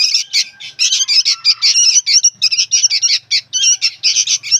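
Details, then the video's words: Young sooty-headed bulbuls calling noisily: a dense, continuous run of harsh, buzzy chattering notes, rapidly repeated with only brief gaps, no other sounds standing out. "SUARA BURUNG ANAKAN KUTILANG PALING RIBUT BERBUNYI"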